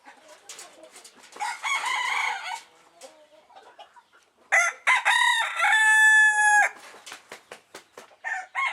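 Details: Phoenix rooster, a little too excited, giving two loud, drawn-out crows of about a second and two seconds, strongly harmonic and slightly harsh, separated by softer clucking and short scratchy notes, with more clucks at the end.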